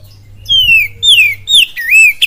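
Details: Oriental magpie-robin singing a lure song with kapas tembak and cililin imitations: three loud, clear whistles, each sliding downward, then a dipping, wavering whistle, over a low steady hum.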